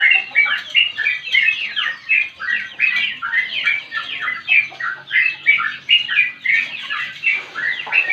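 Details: Sooty-headed bulbul in long, chatty 'ngropel' song, kept for prompting other birds to sing and as a tutor: dense run of rapid, bubbly whistled phrases, each note sliding down, repeating several times a second without pause.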